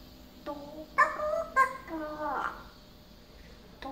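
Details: Pet parrot indoors, recently much more talkative and learning varied words, utters short speech-like phrases with bent, warbling harmonic syllables around one second into a quiet room.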